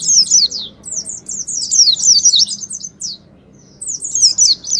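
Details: Oriental white-eye lure song in ngalas style: dense, high, squeaky twittering phrases for three seconds, a clear half-second silence, then the rapid chatter resumes.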